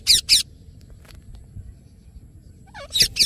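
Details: Ringneck parrot giving natural calls: paired short, harsh, high screeches at the start and again at the end, with quiet low background rumble between them.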